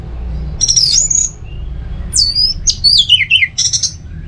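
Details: Teler semi-doyong song from a caged orange-headed thrush in North Bali, Singaraja: clear high whistles, several sliding downward in pitch in a cascading phrase, followed by a short scratchy rattle.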